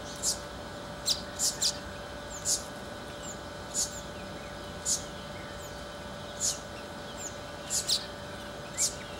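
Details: A male Southern masked weaver building its nest near Magaliesberg, South Africa, in November 2017, gives short, sharp high chips at an uneven pace, roughly one or two a second, over a steady low hum.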